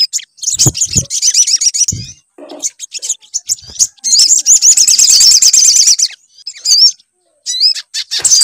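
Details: Lure song of a sogon (sunbird) played to prompt a bird to sing. Fast, high-pitched chattering trills come in bursts with gaps between them, plus scattered low knocks and clicks.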